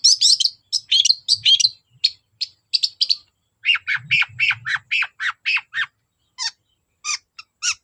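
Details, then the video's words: Long-tailed shrike in full persistent song, played to stir reluctant shrikes to sing: a string of sharp scratchy chips gives way to lower, harsher squawking notes repeated about twice a second, with faint low thumps. "BURUNG CENDET GACOR DOR PANCINGAN AMPUH CENDET SUSAH BUNYI"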